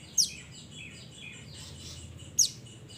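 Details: Mountain mantenan calling its companions: two piercing high descending chirps about two seconds apart, with faint soft twitters in the gap.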